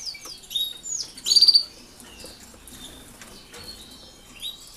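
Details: European goldfinches in their new aviary with canaries, housed there to exercise before being paired; scattered high, sliding chirps with one loud, brief buzzy trill near the second mark, then softer calls.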